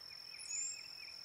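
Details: A single piercing, high-pitched whistle from a brown-headed cowbird, thin and slightly rising, held briefly above a continuous insect tone and soft chirping in the background.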